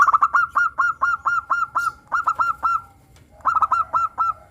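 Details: Local zebra dove singing lively in the morning: bursts of quick, rolling staccato coos, each phrase of several rapid notes stuttering then trailing, repeated back to back with a short pause before the final run.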